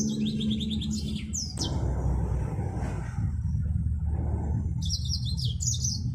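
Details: A yellow-fronted canary sings brief runs of thin, high trilled notes at the beginning and end, while a loud continuous low rumble like a passing vehicle fills the middle.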